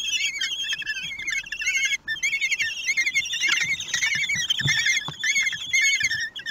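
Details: Common kestrel at its nest in Théding, France, on 11 June 2021, as the male delivers prey: dense, rapid high squealing notes repeated almost without pause, several overlapping, with a few soft thumps.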